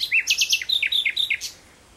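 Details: A common nightingale at sunset in June 2017 gives a quick song phrase: a run of rapid, high, downslurred notes, then a few clear whistles, over in about a second and a half.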